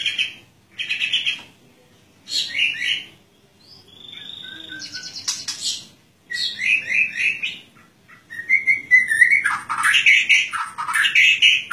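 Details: White-rumped shama in full ngeplong song at dew time, calling out for a rival: separate bursts of rich whistles and rapid trills, then a long continuous stretch of varied, swooping notes over a quiet background.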